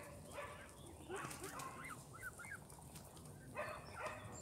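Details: Grown Canada goose goslings recorded on 20 June 2022 at Longton Park, Stoke on Trent. A few thin, arched whistles come in small clusters, with rustling background noise in between.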